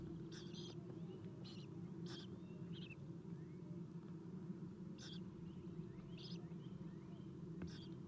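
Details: Eastern screech owl owlets at a nest, filmed by nest cam at 7:04 am on 11 April 2016 as an adult feeds them; short raspy hissing bursts come every second or so over a steady low rumbling hum.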